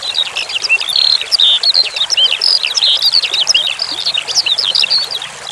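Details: Skylark singing fast and high: a busy chatter of sharp chirps, level whistles and zigzag notes flowing without a break, over gently running water.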